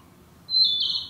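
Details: Narcissus flycatcher in woodland where it breeds as a summer bird: a single short high whistled note that swells into a rich warbled tone, cut off after about half a second.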